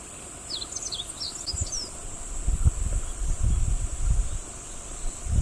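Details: Meadow bunting song recorded on 13 July 2018 at Kubokawa Ihatov World. One brisk phrase of high, tumbling chirps comes early, over a steady insect drone and gusty low wind noise.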